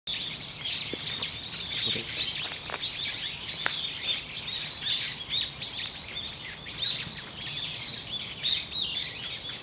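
Eyebrowed thrushes giving thin, high chirping calls that overlap almost without pause, like a busy flock; faint low background noise.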